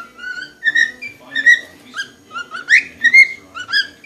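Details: Pet cockatiel indoors in a liquor cabinet gives a run of bright, slurred whistles, some rising sharply, with brief pauses between phrases.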